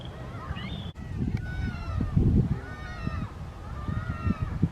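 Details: Seagulls fighting outdoors: a harsh short squeal, then drawn-out, slightly wavering calls that rise and fall, several overlapping, over loud low rumbling and wind or water noise.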